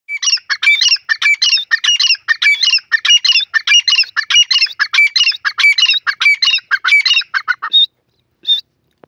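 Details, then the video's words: Grey francolin, known locally as dakhni or sindhi teetar: a loud, fast run of harsh, chattering, squeaky phrases repeated roughly every half second for nearly eight seconds, then two short isolated notes. No other sounds are present. "dakhni teetar sound,beautiful sindhi teetar best birds voice"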